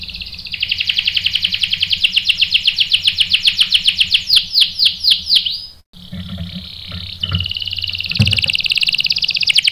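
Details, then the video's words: Rolling canary song meant to provoke canaries into replying: a long, very fast trill of repeated notes, a brief break, then a steady high buzzy tone with quick chips mixed in. "PANCINGAN KENARI GACOR bikin EMOSI jadi NYAUT NGEROL TAJAM | CANARY SINGING"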